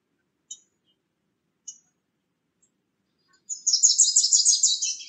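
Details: Bewick's wren visiting a nest box while carrying in nesting material; two isolated sharp high ticks, then a loud buzzy, rattling burst of rapid notes for about a second and a half.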